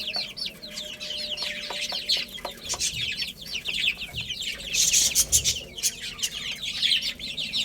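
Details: Little chicks busy playing and eating, calling in overlapping shrill, downward-sliding peeps. The chorus grows louder past the middle, with occasional clicks and light knocks.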